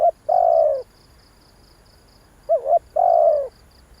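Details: Lure call of a spotted dove meant to excite wild doves. Two cooing phrases, each a short warbled lead-in note and then a drawn-out, low, falling coo, with a faint rapid high ticking behind.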